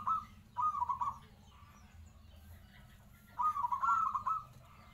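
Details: Local zebra dove singing actively: two bubbly, rolling coo phrases at a steady pitch, the first short and the second longer and trilled, with a quiet pause between them. A low steady hum sits underneath.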